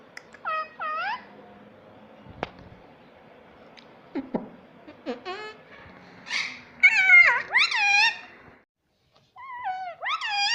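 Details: Talking pet rose-ringed parakeet in a small room, known for saying mummy and papa, gives a string of short bent, harmonic syllables, some rising then falling, spaced irregularly with a sharp click and brief pauses between.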